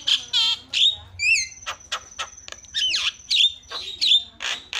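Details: Starling song used to coax quiet birds into chattering: scratchy bursts alternate with clear looping whistles and a long, thin, level high tone.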